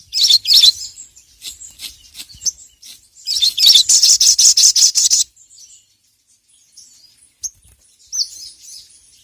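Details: Lively ruby-cheeked sunbird (sogon) in ngeriwik style, calling a rival, on a training recording for other birds: shrill chirps open, then a rapid rattling trill of about a dozen sharp notes, followed by sparse high tweets.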